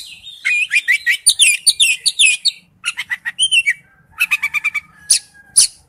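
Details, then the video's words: Wild-type song from an Oriental magpie-robin: a burst of quick chattering whistles, then sharp clicking notes, a rapid even series of ticking chirps and two loud harsh strokes near the end. "Chim chích chòe than hót giọng rừng"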